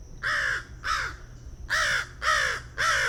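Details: An American Crow (Corvus brachyrhynchos) gives five loud, harsh, slightly descending caws, each about a third of a second long, in quick uneven succession.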